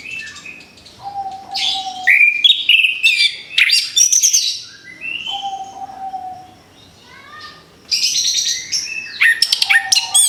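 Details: Orange-headed thrush song for a bird fresh out of its moult: bursts of high rapid chirps and rising whistled slurs between quieter spells, each lull carrying a level, drawn-out lower whistle.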